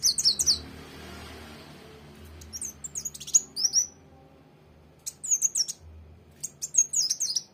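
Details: High-pitched sunbird twittering (kolibri wulung or mucang trotol): quick clusters of sharp, squeaky chirps and short slurred notes, delivered in bursts separated by pauses of a second or two, with a faint low hum underneath.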